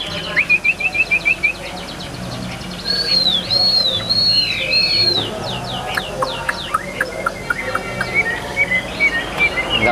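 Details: Chinese hwamei, a caged bird said to sing very well and continuously, with an even, steady voice: clear whistled phrases around 2.5–4k, a rapid trill of short repeated notes, looping slurred whistles, with a man talking and background noise.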